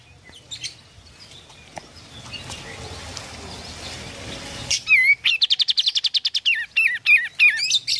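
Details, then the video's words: Oriental white-eye song played to get a silent bird singing again: after a stretch of loud rushing noise, a lively burst of rapid high chirps and trills, with dipping whistled notes woven through. "Kicau Kapas Tembak Gacor Solusi Burung kapas tembak macet"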